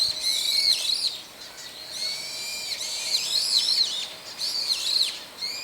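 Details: Several wild brown-eared bulbuls calling in daytime, one of about four call types heard: loud, shrill, squealing notes with rising and falling sweeps, given in bursts of about a second with short pauses.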